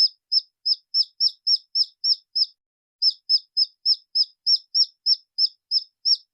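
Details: Wild red junglefowl chick cries in two bursts of shrill, slurred peeps, about nine and then eleven notes. Each burst is evenly spaced at roughly three per second and separated by a short pause. No other sounds are heard.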